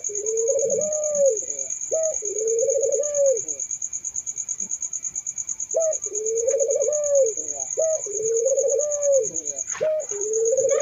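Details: Turtle doves, several birds cooing together: a short note followed by a long, rolling, low coo, repeated every few seconds, with a steady high insect-like trill running throughout.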